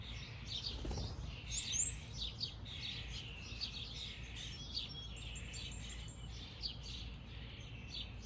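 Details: Backyard birds keep up a busy chorus of overlapping high chirps and twitters, with a brief flutter of wingbeats near the start and steady low background hum throughout.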